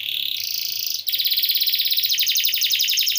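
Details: Canary in full rolling song, recorded as a master track for training songbirds: a short rapid trill, a brief break, then a long loud phrase of quickly repeated buzzy notes.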